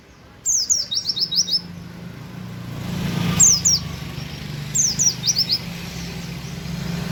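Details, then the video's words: White-eye imitating canary 'wit wit' notes, heard as short bursts of high, sharp, falling chirps. The first burst has about six notes and two briefer bursts follow. A steady low rumble like passing traffic runs underneath. "pleci nembak wit wit kenari"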